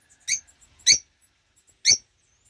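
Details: A family of rosy-faced lovebirds, an adult pair and four young aged eight weeks, in 2024: three piercing, high, clipped squeaks, the first two close together and the third about a second later, with near silence around them.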